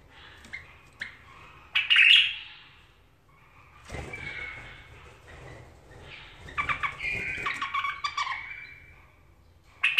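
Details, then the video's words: A tame pet bulbul sings indoors: short bright chirping and squawky phrases, separated by pauses, with a louder burst near the start and a busier warbled run in the second half. "بلبل اليف مستوى حلو"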